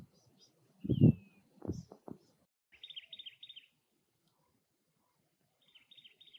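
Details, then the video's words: Cactus wren at the nest giving two quick bursts of scratchy, chattering notes after loud low thumps and a brief descending whistle at the start. "Cactus Wren Bird - Call and Nest"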